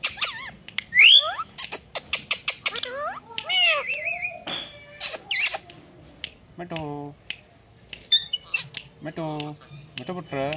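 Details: Indian green ringneck parakeet, a pet talking bird, alternates harsh rising squawks and squeals with voice-like mimicked words and sharp clicks in a busy, chattering sequence.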